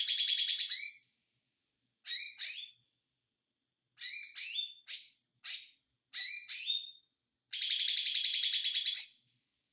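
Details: Ijo mini white-eye, konslet style: a short trill ending in a rising squeak, then a series of paired sharp sweeping notes about a second apart, closing with a fast buzzing trill.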